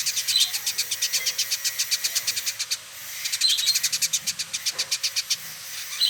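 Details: Male village indigobird, Bandung, West Java, singing vigorously: long fast trains of dry, sharp ticking pulses, briefly broken by a pause, then resuming at the same rapid pace.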